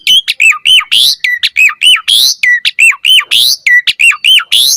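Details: Asian pied starling song used as a lure to provoke a response: loud, rapid sequence of whistled notes swooping down then up, mixed with harsh buzzy bursts, repeated almost continuously with short gaps.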